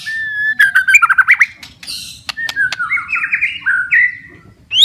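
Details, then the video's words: White-rumped shama in energetic song to rouse stressed shamas: a long whistle, then rapid looping warbles, clicks, and zigzag whistled phrases ending in a rising note. "PANCINGAN & TERAPI,, MURAI BATU MALAS BUNYI,, STRES,, DENGARKAN OCEHAN INI,, PASTI GACOR LAGI"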